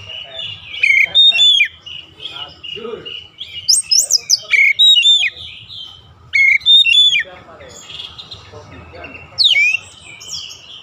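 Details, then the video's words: Oriental magpie-robin (kacer) in daily training for a quick, long rolling song: loud whistled notes in repeated short groups, mixing clear slides with harsher buzzy elements, with softer chatter between groups and a final high sweeping note. "KACER CEPAT NGEROLL PANJANG"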